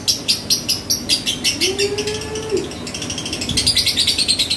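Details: A three-month-old lovebird, a contest winner, chatters in rapid, shrill, high-pitched chirps, about two or three each second, with a brief low whistle in the middle.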